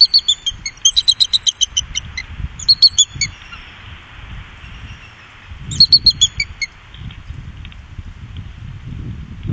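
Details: Bald eagles, a trio, on the Upper Mississippi in 2018, giving thin, high staccato chattering notes in three quick bursts, with a steady low rumble of wind or water underneath.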